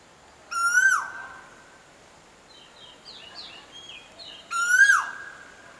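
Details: Koel giving two rising whistled notes that end in a quick downward slide, spaced about four seconds apart, with soft chirping from another bird in the gap.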